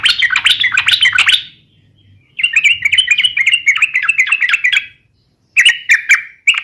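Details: Fighting song of a yellow-vented bulbul, sung to provoke rivals: dense runs of quick, warbling chatter, a pause, then a long rolling phrase and shorter clipped bursts, with a faint low hum beneath the opening.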